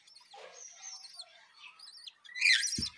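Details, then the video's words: Home-kept budgerigars with newly hatched chicks: high, wavering whistled chirps repeated every half second or so, ending in a loud burst of harsh, scratchy chatter and a soft thump. "নতুন বেবি বাজরিগারের।New babies"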